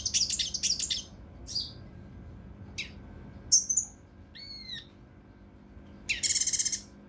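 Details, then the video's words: Cucak rante mas (mountain leaf warbler) in the rough, dense 'kinoi emosi' style for tutoring competition birds: harsh rattling bursts, a sharp high note, curled whistles and a closing buzzy rattle with short pauses. "KINOI EMOSI | TEMBAKAN KASAR RAPAT UNIK | SUARA CUCAK RANTE MAS UNTUK MASTERAN BURUNG LOMBA"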